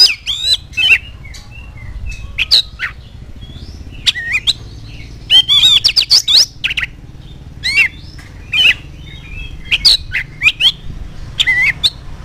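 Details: Oriental magpie-robin singing lively to provoke other birds into answering; a fast, uneven stream of sharp chirps, short whistles and scratchy notes over a steady low hum.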